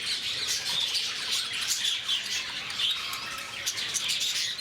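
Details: Lovebirds at Bannerghatta Zoo in Bangalore: a dense, continuous chatter of shrill, high squeaks and chirps from many birds calling at once, overlapping with no pauses.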